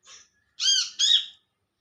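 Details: A single olive-backed sunbird contact call, given to companions in the wild: a faint high twitter followed by a loud, rich, double harmonic 'wi-ceh'.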